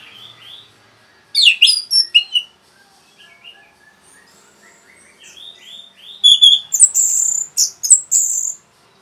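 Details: Orange-headed thrush in rapid song meant to provoke other birds, two bursts of loud, varied, high chirps and slurred whistles separated by quieter soft warbling phrases.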